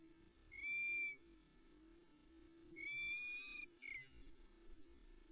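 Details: Female Osprey on a nest at Loch Arkaig, 11 May 2020, calling impatiently before her mate delivers a headless brown trout. Two clear whistled notes with rich overtones come about two seconds apart, then a short fainter note, over a steady low hum.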